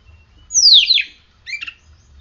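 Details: Oriental magpie-robin in captivity, conditioned by morning sunning, sings a long downslurred whistle breaking into a buzzy trailing note, followed after a pause by a short twittered phrase.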